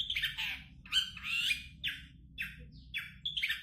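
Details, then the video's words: Champion long-tailed shrike singing in raspy, scratchy bursts with brief squawking notes, each phrase broken by a short gap, roughly two per second, against a faint low background hum. "Burung cendet juara"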